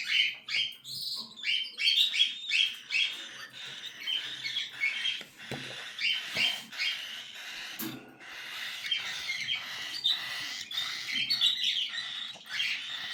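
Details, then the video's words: Cockatiel chicks begging: dense, continuous raspy chattering and buzzy squeaks, many overlapping short harsh calls in rapid succession with little pause, a busy nest chorus throughout. "صغار عصافير الكوكتيل"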